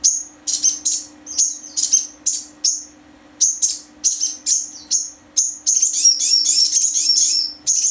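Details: Sogon, a crimson sunbird, giving short high-pitched chirped phrases about twice a second, then a sustained fast, sharply trilled run near the end, over a constant low hum.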